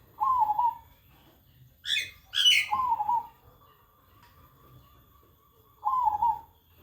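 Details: Zebra dove cooing, a bird unafraid of people. Three soft, quavering mid-pitched coos spaced a few seconds apart, with bright sharp chirps from another bird between the first two.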